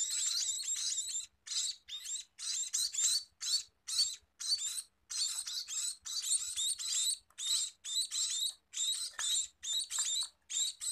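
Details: Scaly-breasted munia begging for food with long runs of piercing, hissing chirps, about two a second, broken by short pauses, clean and close with little else audible.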